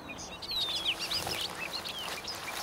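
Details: Bobolinks singing in a meadow: a tumbling run of quick, bright chirps and sliding whistled notes, one long downward slur near the start, over soft outdoor hiss.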